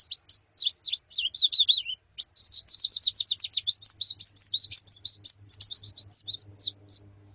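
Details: Female and group white-eyes (pleci) calling as therapy for a male's song: rapid high chirps and slurred twitters, about three notes a second in irregular bursts, nearly unbroken, soft hum beneath.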